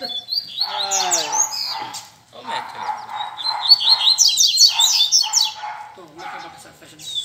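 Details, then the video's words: Several rusty-collared seedeaters (coleiros) singing together at a Sunday-morning gathering of keepers: lively, rapid phrases of high twitters, buzzy trills and sweet whistled notes in quick succession, with voices murmuring faintly behind. "Barderna de Coleiro Entre Amigos"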